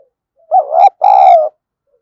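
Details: Single loud two-note coo from a decoy spotted dove used to attract wild doves, a brief dipping note followed by a longer, throaty, slightly falling coo.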